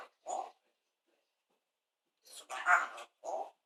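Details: A parrot said to be speaking "Allah akbar" gives one short syllable, a pause, then a rasping two-part phrase and a final clipped word.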